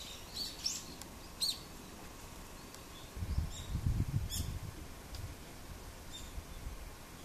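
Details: Many brown-eared bulbuls gather to peck at the fruit of an Idesia tree. Short, high, squeaky chirps come in small bursts early on and again later, with a low rumbling noise in the middle and steady background hiss.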